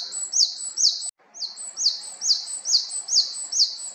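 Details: Japanese tit in Haenam, South Korea, calling a steady string of high, bright two-part notes, roughly two each second, with a brief cut near the start; little else audible.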